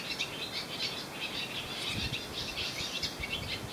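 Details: On Croatia's Susak island, swallows perched on a wire give a dense, high, scratchy twittering chorus without pause, over a faint steady hum.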